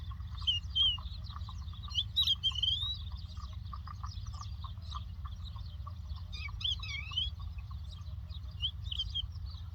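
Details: Lark singing in the land of Doukkala, a stretch of varied warbled and twittering phrases with quick rising and falling whistles, bursts around the start and middle, over a steady low rumble.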